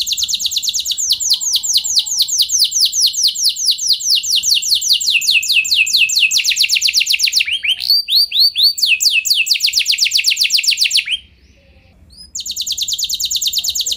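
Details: Canary giving a long rolling song aimed at triggering other canaries, quick high sweeping notes in long runs with a brief change of phrase midway, a short pause, then the trill resuming.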